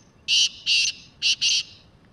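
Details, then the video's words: Black francolin call with four strident, rasping notes in two pairs, the second pair quicker and tighter, loud and clear against a quiet background. "Kala Teetar Full And Clear Voice"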